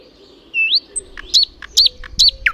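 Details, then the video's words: Songbird singing: a rising whistled slur followed by short sharp chirps repeated in quick succession, high and clear, with a faint low hum behind. "пение птиц"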